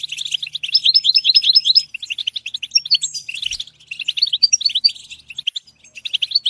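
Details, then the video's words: Fast tinkling goldfinch song: bursts of bright chirps and twittering notes, a run of repeated high whistled notes at the start, then more quick, varied chatter after a short break. "Comprehensive guide to stimulating and singing the goldfinch"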